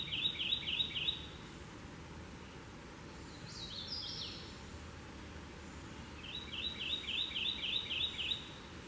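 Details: A male Kentucky warbler sings in forest on the Chestnut Landtrust trails: a rapid rolling string of about six two-note 'churry' phrases, repeated after a pause, with another bird's brief call between over low rumble.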